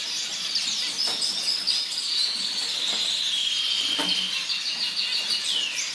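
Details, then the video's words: Orange zebra finches chatter in high, thin chirps over a drawn-out whistled note that holds steady and then slides downward at the end, with soft taps underneath. "Orange Zebras Finchs"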